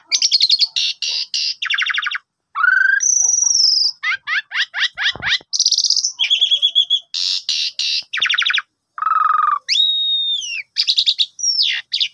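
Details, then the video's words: Asian pied starling singing in the morning, a sulking bird: long varied stream of harsh buzzy bursts, rapid trills, clear whistled notes and sweeping slurs, with hardly a pause. "Pancingan Pagi !! Jalak Suren Lagi Pundung Agar Cepat Gacor Langsung Bongkar Isian"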